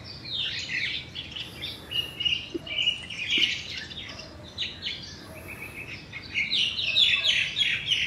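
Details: Crested myna imitating other birds, mainly juvenile yellow-vented bulbuls, with sounds seeming to come from all around: a steady stream of high chirps, squeaks and short slurred whistles, with faint lower knocks and outdoor noise.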